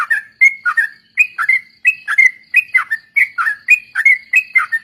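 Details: Liquid, bubbly whistling from a sooty-headed bulbul (trucuk), short phrases of falling and rising notes repeated continuously, played as a lure song to teach other songbirds.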